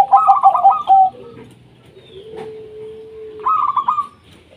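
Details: Local Indonesian zebra dove in lively song, used to prompt lazy doves to sing: rapid stuttering cooed notes run into a trill, a pause with a low drawn-out hum, then another stuttered burst.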